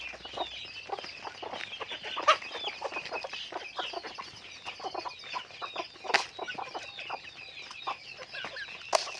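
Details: A chicken flock on a farm chirps in a soft, dense chorus of high peeping notes, broken by a few sharp clicks or knocks.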